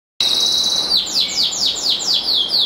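A black siskin mule sings: a high, sustained whistled note, then a quick series of downward-swooping notes, about three per second, with no other sounds.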